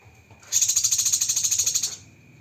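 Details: Cucak kinoi delivering one 'tembakan' burst: a shrill, very high rattling trill of about fifteen quick, even pulses over roughly one and a half seconds, then silence.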